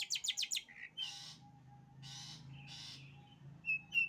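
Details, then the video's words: Long-tailed shrike singing in the sembur style: quick descending whistled sweeps, then broad harsh buzzy rasps alternating with short high whistles, over a low steady hum. "burung cendet sembur"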